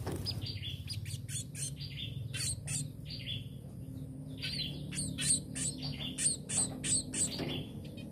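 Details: Tame sparrow giving many quick, high chirps and squeaky notes in dense overlapping bursts, with a steady low hum underneath.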